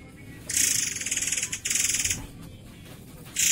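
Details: A white-rumped shama gives harsh, rasping bursts of rapid buzzy notes, high-pitched and sharp, in two long runs with a third starting at the end; the song is meant as tutor song for training other birds.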